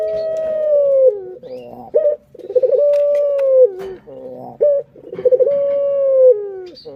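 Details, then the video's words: Barbary (puter) dove kept as a pet, cooing as a lure sound to stimulate other birds: long, steady, slightly falling coos about two seconds each, alternating with short rolling, bubbling notes, repeated roughly every three seconds indoors. "Pancingan Burung Puter Paling Keren"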